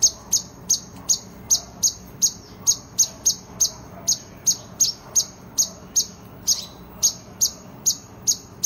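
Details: Kolibri ninja, Van Hasselt's sunbird, in fighting-style singing for tutoring: a metronomic run of shrill, very high chips, roughly three per second, each sharply clipped, over faint low hum.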